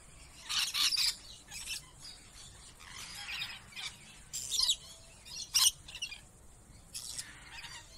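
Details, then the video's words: Lorikeets in an enclosure at Jacksonville Zoo, Florida, give harsh, screechy shrieks in short bursts every second or so, with softer chattering between them; deep squawks come from another enclosure in the distance. "Lorekeet Parrot Calling"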